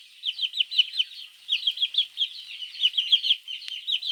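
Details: Young chicks peeping for their mother in the morning, a mongoose lure: steady, high-pitched cheeps in fast groups of several notes with short breaks, plus one sharp click near the end.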